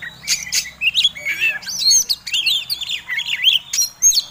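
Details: Persistent provoking song of a displaying fighting Oriental magpie-robin: a tight sequence of clear whistles, rising slurs and sharp ticks delivered almost nonstop over a low hum.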